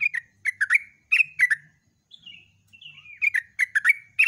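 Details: Yellow-vented bulbul at dawn in continuous 'gacor ropel' song: lively gurgled phrases, a gentle falling whistled slur in the middle, then quick liquid notes resuming.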